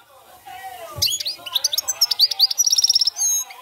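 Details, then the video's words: European goldfinch singing in the campero style, a rapid run of bright, liquid twittering notes and high tinkling trills with quick buzzy flourishes; faint low voice murmur before the song begins. "jilguero cante campero"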